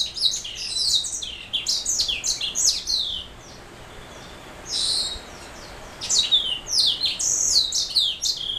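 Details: Black throat mule canary hybrid giving bursts of high, rapid twittering song with trills and falling whistled slurs, a short buzzy note in the middle, then a second lively burst after a brief gap.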